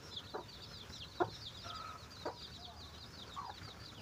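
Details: Chicken finding food for its chicks makes scattered short clucks and a brief drawn-out note. Dense high peeping from chicks continues the whole time.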